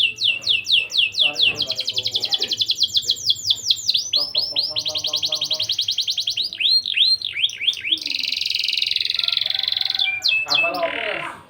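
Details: Canary singing to raise breeding drive in young canaries. It gives rapid trills of high, falling notes, a stuttering lower section, looping whistles, and a long buzzy sustained tone near the end.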